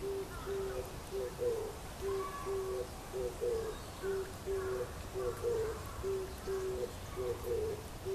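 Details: Oriental turtle dove calling from a tree in Kyoto Gyoen, Kyoto, in May 2014 amid fresh green leaves; soft, low hooting notes in a steady rhythm, paired short coos followed by a slurred longer note, repeated throughout over a faint background hiss.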